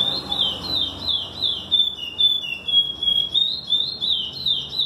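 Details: Chestnut-bellied seed finch delivers a strong, flowing whistled song of looping high notes that rise and fall without pause, with low murmuring noise underneath.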